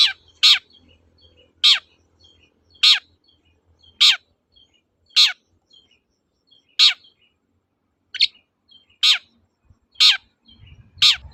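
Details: Long-tailed shrike calling in 'toet-toet' style, meant to stir silent shrikes into singing; about ten harsh descending notes at slightly uneven intervals, with soft chips between and a brief low rumble near the end.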